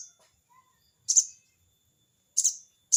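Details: Sogon, or crested jay, challenging a rival with its crecet cerecet notes: three loud, harsh, rasping chips with uneven spacing, over a quiet background with a faint whistle.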